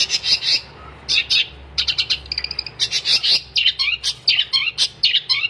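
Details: Energetic long-tailed shrike song in the gacor style: dense runs of scratchy high notes mixed with fast ticking trills and short descending whistles, nearly continuous throughout.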